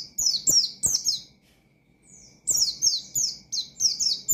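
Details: Oriental white-eye delivering a loud, provocative ngalas song aimed at rival birds. Thin, high, falling whistles are repeated quickly. A one-second hush splits the clip before another fast series follows.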